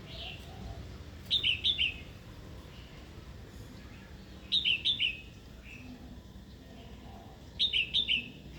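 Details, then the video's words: Female red-whiskered bulbul calling to provoke a wild-caught male into singing and fighting. Three short bursts of sharp, high, clipped chirps, each group of three to four notes and spaced about three seconds apart, over a low steady background hum. "Chào mào hót tiếng mái kích bổi"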